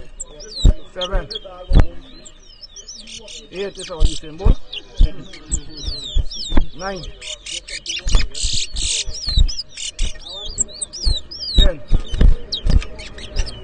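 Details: Towa towa singing during a bird whistling contest in Edinburgh Village, Guyana, 2023: steady stream of bright upslurred and downslurred whistles, punctuated by loud taps, bangs and crowd voices.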